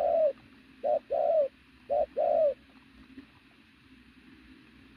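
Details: Athletic pigeon cooing loudly. Short clipped coos pair with longer sliding coos in quick succession, then near silence and the start of another note at the end.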